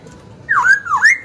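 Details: Young caged Black-throated laughingthrush singing to provoke rival birds and train young birds: two loud slurred whistles, the first rising then falling, the second dipping and rising, over a faint low hum.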